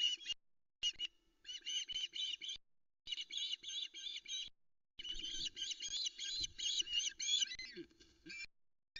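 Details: At dawn on the Loch Arkaig nest, a female osprey awaits a fish delivery, calling in long strings of shrill, rapid piping notes that grow denser and more excited toward the end.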